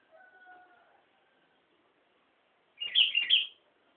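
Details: Faint, steady distant crowing gives way to a Sooty-headed bulbul's lively phrase at Nambangan, three rapid bubbly chirps rolling up and down in quick succession.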